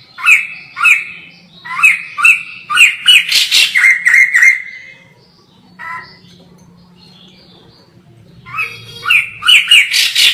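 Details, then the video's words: White-crested laughingthrush (poksay jambul) recorded far off: bursts of quick, bright, harmonic whistled notes, a long quiet pause with low background hum, then another loud rapid volley. "POKSAY JAMBUL GACOR FULL"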